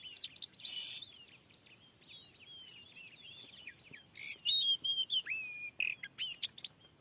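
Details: Fierce wild oriental magpie-robin in a freshly set-up field, responding to a lure: a loud burst, then soft sliding whistles, then a dense run of sharp, varied notes and ringing whistles, with faint background hiss.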